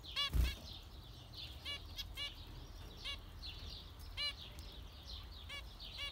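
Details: Zebra finches trading short, nasal, trumpet-like calls at uneven intervals, with one louder thump near the start and a low background rumble throughout.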